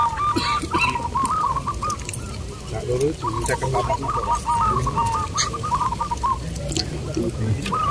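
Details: Local zebra doves singing at a caged-bird contest at Bukit Mengger, Sindet, Trimulyo, Bantul, Yogyakarta, Indonesia. The doves give overlapping rippling, stuttering coos in a steady run with brief pauses. An announcer calls out contest numbers, and crowd noise murmurs underneath.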